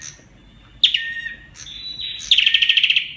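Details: Olive-backed tailorbird (Orthotomus sepium) song: loud, high whistled notes sliding downward, then a fast, even, machine-gun-like trill of about a dozen sharp notes.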